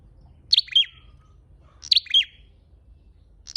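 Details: Red-headed flowerpecker lure call repeating roughly every one and a half seconds: thin, high double chirps sliding into brief buzzy tails, a third call cut short at the end.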